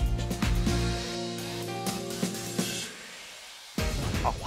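Music with steady low tones and percussive hits, a brief burst of speech near the end, and no animal sound.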